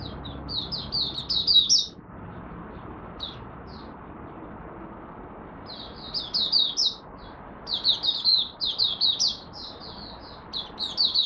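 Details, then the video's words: Malaysian oriental white-eye in its first warm-up singing of the day: bursts of rapid high, thin chirping notes, a two-second phrase, then a pause and a longer run of sweet twittering notes, over a low background hum. "Malaysian Mata Puteh Buka Sing"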